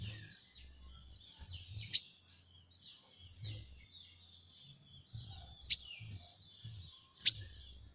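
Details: Van Hasselt's sunbird kept as a pet, singing a tutor-style song: a high, thin, unbroken twittering run broken by three loud, sharp chip notes spaced a few seconds apart, over soft low bumps.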